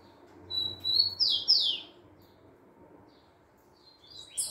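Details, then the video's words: Rufous-collared sparrow singing: a few clear high whistled notes, then two loud slurred whistles sliding downward, a pause, and a short high phrase at the end; quiet background. "tico tico cantador"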